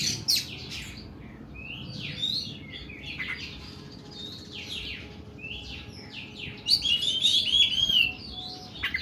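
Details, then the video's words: Oriental magpie-robin singing in long, harsh bursts: high scratchy notes and sweeping whistles, with a loud trilled flourish near the end over a low steady hum. "KACER KUKU BIMA NEMBAK PANJANG & KASAR"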